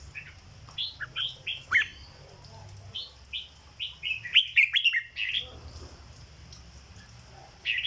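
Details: Red-whiskered bulbul, a cage bird, in its legendary 'dok' song: choppy runs of bright whistled notes, a dense burst in the middle, then quiet before a final note.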